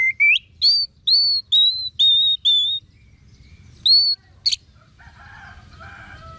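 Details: Orange-headed thrush song used to train kept birds. Clear, evenly spaced whistled notes, each slightly falling, repeat about twice a second, followed by one sharp note and fainter chattering sounds.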